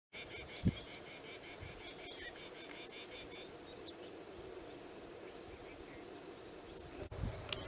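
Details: A rain quail in monsoon grassland at Saswad, Pune, India, gives a quick series of sharp, metallic paired notes for the first three seconds, over a steady high insect trill, low rumble and a few handling knocks.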